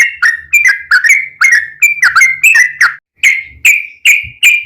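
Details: Yellow-vented bulbul song used as a lure to make other bulbuls sing, described as long rapid-fire singing: bright whistled notes repeated about every third of a second, each sliding down, with a short pause near the end.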